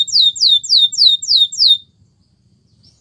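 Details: Five loud, clear descending whistled sweeps from a canary, evenly spaced, followed by near silence and a faint final note. Song used for training.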